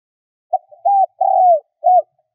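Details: Spotted dove decoy song meant to lure wild birds: a clipped opening note, an arched coo, a long coo that falls slightly at the end, and a final arched coo, all clean with no background.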